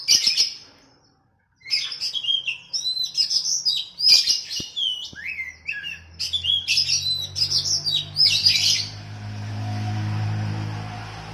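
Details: Oriental magpie-robin training song for a kept bird, set against a sooty-headed bulbul. Rapid, varied high whistles and chirps in bursts, then the song stops and a low steady hum remains.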